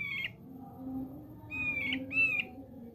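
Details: Male thick-billed white-eye singing: three short whistled phrases near the start and after a pause, each a steady high note ending in a slight warble, over a low background hum.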